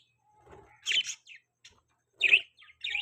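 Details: A few budgie chirps: two louder, bright chirps about a second and a half apart, with softer twittering around them.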